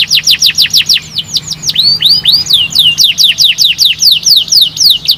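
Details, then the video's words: Canary song to prompt other canaries to sing quickly: rapid high repeated sweeping notes, then a few slower rising whistles, then back to a fast steady series of sweeping notes, with a faint low hum. "bikin cuitan burung kenari cepat bunyi"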